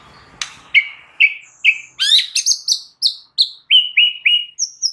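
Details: Provoking song of a White-rumped shama: a sharp opening click, then a run of bright whistled notes alternating between high and mid pitch, each sliding downward, repeated quickly.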